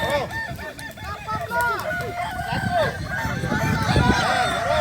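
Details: Crowing contest of kukuak balenggek cocks in Solok regency: many arched, wavering crows overlap continuously, with lots of human chatter and general crowd noise around them.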